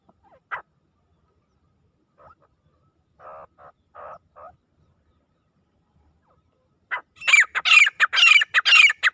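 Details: Francolin calling, used by hunters to draw birds close: a few faint scattered notes, then a loud harsh burst of rapidly repeated grating notes over the final two seconds.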